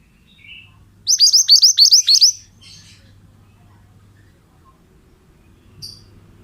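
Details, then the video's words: Male pied bushchat, recorded as a tutor song for other birds: one loud burst of about seven quick, high, falling chirps lasting just over a second, then near silence with faint distant chirps. "BURUNG MANTENAN GACOR"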